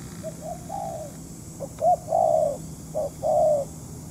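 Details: Spotted dove used as a decoy bird during trapping with amateur trappers: a series of low, hoarse coos, short clipped notes each followed by a longer drawn-out coo, repeated roughly every second, over a steady low background hum.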